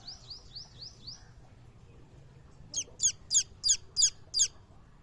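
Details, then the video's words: Hen babies give a few soft, falling chirps, then after a pause six loud, shrill peeps spaced about a third of a second apart. "The Sweet Sound of Hen Babies"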